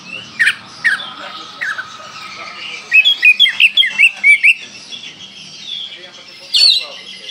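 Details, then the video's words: Kalimantan Oriental magpie-robin in full 'tembakan' song. A few separate sharp descending whistles are followed by a quick string of bright, twisting whistled notes, then a pause and one last clear phrase. "Kacer Kalimantan gacor full tembakan"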